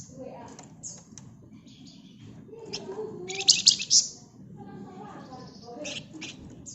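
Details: Flamboyan bird singing in a dense, busy gacor ngebren style: rapid high chirps and buzzy trills, with a loud burst of harsh notes near the middle, over a low background murmur.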